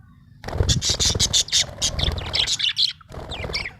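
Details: Happy budgerigar in full chatter, a continuous string of loud, grating chirps and squawks with a brief pause before it resumes.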